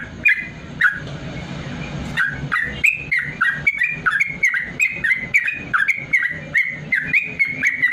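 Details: Training recording for lazy caged bulbuls: a yellow-vented bulbul's long rapid 'ropel' song, a few scattered notes at first, then a dense, lively string of bubbling slurred chirps over a hissy background and clicks.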